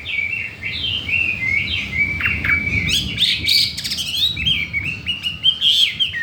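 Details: Newly acquired Chinese hwamei wanting to breed, singing a fast run of bright whistled notes and chevron-shaped slurs, broken by brief harsh clicks midway, with faint low background hum.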